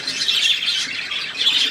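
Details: Many budgerigars warbling at once, a constant bright twitter of squeaky, buzzy notes rising and falling in waves.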